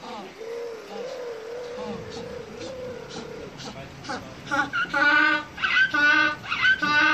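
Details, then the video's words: African penguin (Spheniscus demersus) opening with a drawn-out, wavering tone, then breaking into a rapid series of loud, pulsing, nasal brays that grow harsher toward the end. "Die Laute des Brillenpinguins"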